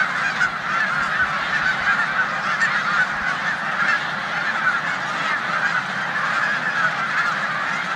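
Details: Snow geese massed in a corn field in Savannah, New York, on 14 March 2020, resting before their migration north, with Canada geese present; countless overlapping high honks merge into a steady, roaring wall of sound.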